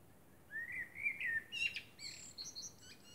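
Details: Night song of a common blackbird beneath the moon: a rising, fluting whistle swells over a second, then dissolves into sharp high chips and a run of thin twittering notes.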